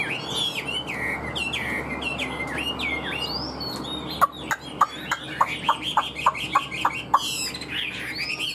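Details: Caged Chinese hwamei with a fanned tail and a good voice, offered for sale. Varied loud whistled phrases with rising and falling slurs, then a run of sharp descending notes repeated about three times per second.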